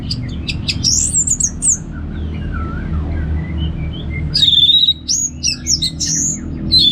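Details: Anis merah, the orange-headed thrush, in ngeplong song from North Bali: high whistled slurs and rapid chirps open, a quieter stretch follows, then a loud run of sweeping whistles and clipped notes over a constant low hum.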